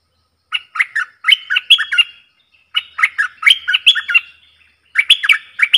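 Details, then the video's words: Caged bulbul singing dok taeng style songs in a duel with wild birds, dated 03/10/2564: three bursts of short, chirpy whistled phrases with bright up-and-down notes, separated by brief pauses. "เสียงนกกรงดอกแตงEp.82 ดวลเพลงกับนกป่า!!Birds sounds"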